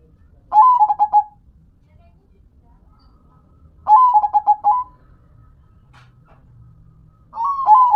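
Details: Local zebra dove (perkutut) singing: three crisp phrases roughly three seconds apart, each a bright initial coo then a rapid run of pulsed notes ending in a soft drawn tone; quiet low hum between.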